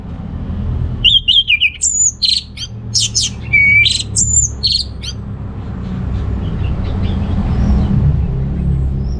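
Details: Orange-headed thrush song used to stimulate males lacking breeding drive: a burst of varied whistled and buzzy phrases, sliding notes mixed with sharp chirps, for about four seconds, then fading to low background rumble.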